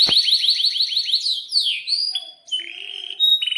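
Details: Lively canary in breeding condition: a fast trill of sharp downslurred chirps, then a swooping slur and short steady whistled notes, some buzzy. Used as a model to prompt young or silent canaries into song.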